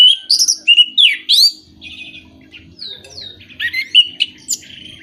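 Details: Orange-headed thrush lure song, used to stimulate moulting, silent or non-breeding birds: loud varied phrases of rising whistles and sweeping notes, then a quieter jumble of chattering and buzzy notes.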